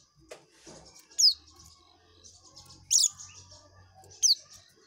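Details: Oriental white-eye in ngekek mode, giving three loud, piercing, high downward-slurred chirps roughly one and a half seconds apart, with softer twittering and faint low background rumble between them.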